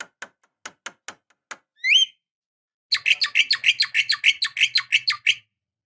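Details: Javan myna, a female calling a male, used as a lure: scattered sharp clicks, one rising whistled note, then a fast run of about fifteen harsh, buzzy chattering notes at an even pace.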